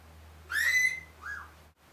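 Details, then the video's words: A one-year-old pet Senegal parrot talks, saying phrases like "Good Morning" and "I'll be back": two whistly, voice-like syllables, a long bright rising phrase then a shorter arched one, over a faint low hum. "Talking Parrot"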